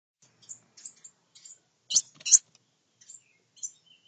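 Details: Wren nestlings in a nest built inside a honeybee box give thin, high, scattered chirps in quick irregular bursts, with two louder rustling clicks midway.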